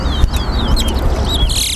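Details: A chestnut-bellied seed finch (towa towa) sings in a bird singing race at Harbour Bridge. It gives a quick run of thin, slurred whistles, rising and falling, over a heavy low rumble while a person counts aloud.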